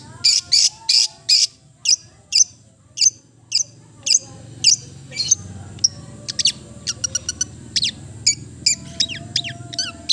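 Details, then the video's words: Melodious long-tailed shrike song made of loud, spaced, sharp high notes, then quicker thin ticking notes and a few downslurred whistles near the end. "the melodious sound of the cendet bird"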